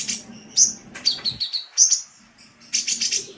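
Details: High, thin sunbird notes from a masteran song-training recording, mixing short sharp chips with brief sustained whistles, then a quick burst of rapid chips after a short pause, over a soft low hum.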